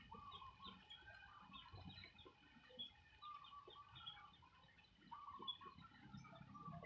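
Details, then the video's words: Farmyard birds giving short, harmonic, clucking calls in a quiet, rapid, overlapping chatter, with several callers heard together and soft, low rustling in the background. "Bird Sound Effect"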